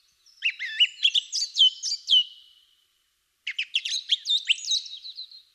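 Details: Song Thrush, probably a male and an early-spring singer, sings two bright, varied bursts of whistled and chirping notes, each about two seconds long, separated by a short pause; the species repeats each phrase several times.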